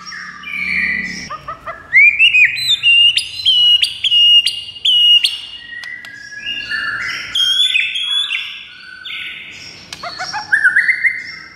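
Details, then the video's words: White-rumped shama song to set off a quick reply from another shama: a rising whistle leads into a series of clear repeated high notes with clicks, then varied scratchy warbles and tumbling phrases. "JADIKAN MURAI BATU NYAUT DALAM HITUNGAN DETIK SAJA"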